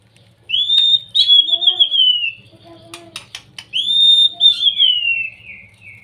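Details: Provoking song of a young white-rumped shama, used to excite reluctant shamas: long, wavering whistled phrases that slide downward, with softer low notes and clicks between the two phrases.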